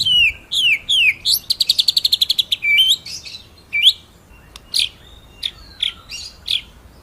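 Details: Training master song of a white-rumped shama: descending whistled slurs, a quick buzzy roll, then scattered loud whistled upsweeps and clear notes.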